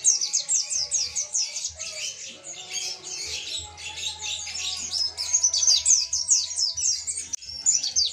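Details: Mountain white-eye, montanus type, singing persistently as a master recording for training other birds; dense, rapid high twittering chirps in a continuous stream, with faint low hum and tonal background sounds.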